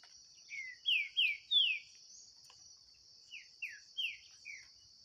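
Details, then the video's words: Green-winged saltator singing in a contest against a wild bird: a phrase of four clear whistles, each sliding down, then a second softer run of four similar notes, backed by a continuous high-pitched insect hum. "DISPUTA DO SÉCULO 2023 🔥TRINCA FERRO"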